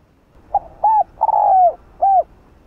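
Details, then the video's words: Spotted dove calling to lure wild doves: a soft short note, an arched coo, a stuttered lead into a long falling coo, and a final rounded coo. "Chim cu gáy kích bổi nhanh nổi/kích bổi/kích mồi gáy cả ngày \ cu gáy mồi cây gáy gọi kích bổi"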